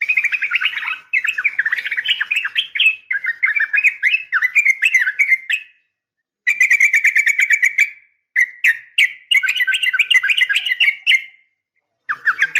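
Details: Sharp fighting call of a female Sooty-headed bulbul summoning a male, used to make bulbuls respond: long runs of rapid, jumbled, warbling chirps, broken by a few short silences, with a final burst after a pause.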